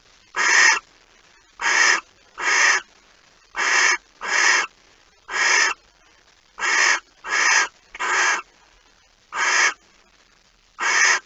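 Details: Barn owl in a nest box before dawn, 26 August 2019, while a mouse is delivered: eleven short, rasping hiss-screeches in eleven seconds, irregularly spaced, some in quick pairs, in an otherwise silent background.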